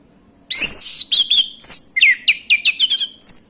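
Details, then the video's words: Lure recording of a male orange-headed thrush meant to set other birds singing: dense, rich song of sharp, high whistled notes and quick rising slurs in rapid succession, with a faint steady high hum beneath. "ANIS MACET langsung bunyi Anis merah jantan"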